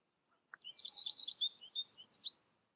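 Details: Young American goldfinch reared alone and tutored by a recording, delivering a rapid, sweet, high-pitched twitter of jumbled warbled notes that ends in a few separated chirps.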